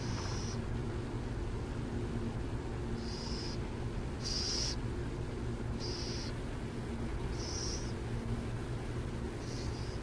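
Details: Burrowing owls, San Jose. Six harsh, breathy high-pitched screeches, each roughly half a second long, come about every one and a half seconds above a constant low rumble of distant traffic.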